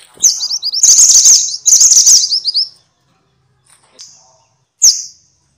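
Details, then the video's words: Minivet known as mantenan in Javanese and sepah in Indonesian, offered as filler audio for songbirds: high rising chirps leading into two dense buzzy chatters, followed by quiet and two isolated sharp high notes. "kumpulan suara burung mantenan (sepah) ribut!!"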